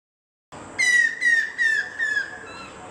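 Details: A Stork-billed Kingfisher near a residential complex in Krishnapur (Kestopur), Kolkata, gives four loud, harsh, slightly falling notes in quick succession, each about a third of a second long, over a steady background hiss.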